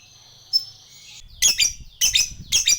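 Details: A drawn-out thin whistled note, then three loud harsh double squawks from a lovebird, used as a lure for fighter birds.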